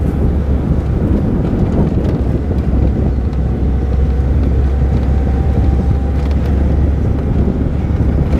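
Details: Loud, steady low engine rumble from a moving vehicle, with wind buffeting the microphone throughout and no animal calls.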